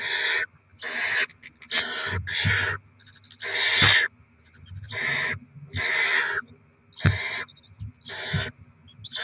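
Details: Barn owl pair at a nest being fed rodent deliveries for their chicks, 7 February 2024: harsh, breathy hissing screeches, about a dozen rasping bursts of uneven length in quick, irregular succession, with faint low rumbling beneath.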